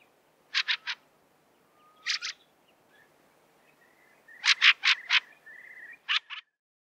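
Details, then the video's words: Fieldfare (Turdus pilaris) giving harsh, dry chattering 'chack' notes in bursts of two to four, with a faint thin whistling underneath. "Fieldfare [Turdus Pilaris]"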